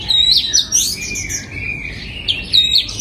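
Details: Oriental magpie-robin in a breeding aviary, 2022: loud, sweet whistled notes open the phrase, followed by a soft descending glide and then renewed bright whistles.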